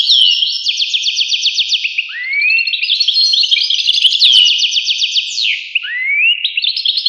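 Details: High, liquid twittering from a European goldfinch, with fast evenly spaced trills and two rising slurred whistles that sweep upward between bursts of chatter.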